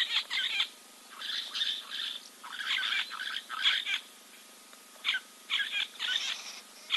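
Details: Giant kingfisher preening at Kings Camp waterhole, Timbavati Game Reserve, South Africa, 04.02.2024, gives harsh, rattling bursts of grating notes, several each second, in irregular loud spells separated by brief pauses.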